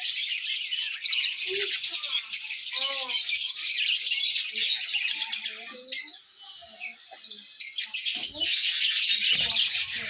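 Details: Sunlit budgerigars give steady, busy twittering: fast high chirps and buzzy warbles that dip briefly near the middle and then resume. A person speaks quietly in Bengali underneath.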